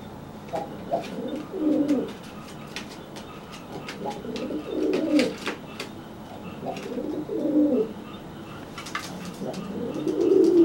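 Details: Dry pigeon threatening a bathed, flightless wet pigeon with repeated low burbling coos, roughly one phrase every two to three seconds, over a quiet indoor background with small taps.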